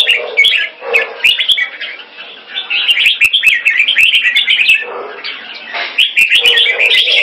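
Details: Caged Red-whiskered bulbul kept in Singapore, giving its keke call on command: rapid chattering, warbled notes, about three per second, with brief lower murmuring sounds at times between the bright chirps.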